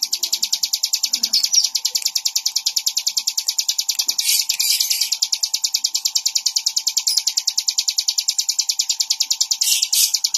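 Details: Bar-winged prinia pouring out a long, relentless sequence of shrill high chips at about three per second, with a steady low electrical hum and occasional brief extra chirps.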